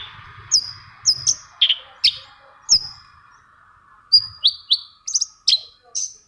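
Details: Lure song of a long-tailed shrike meant to set silent shrikes singing: separate sharp high chirps and descending whistled notes, spaced about half a second apart, with a faint low murmur early on.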